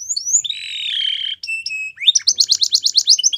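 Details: Male canary song with a sliding whistle into a buzzy rolling note, short doubled whistles, then a fast rhythmic trill of sharp repeated notes.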